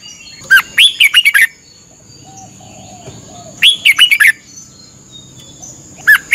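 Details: Red-whiskered bulbul in Thailand, a training song played for 30 minutes every morning to help a bird learn to sing. Two quick bursts of bright, warbled whistles come about three seconds apart, and a third begins. A steady thin high whine runs throughout.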